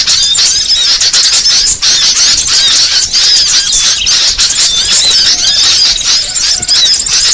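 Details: Trapping lure aimed at all kinds of small birds such as red-headed prenjak and mantenan jati: shrill squealing chirps and fast twittering phrases pour out nonstop at high pitch, thick and overlapping.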